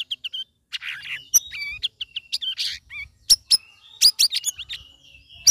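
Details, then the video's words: Caged sooty-headed bulbul, third week of ombyokan care, delivering a busy ngeriwik ngeplong song: continuous twittering, chirps and short whistles mixed with sharp clicking notes. "CUCAK RAWIS NGERIWIK NGEPLONG"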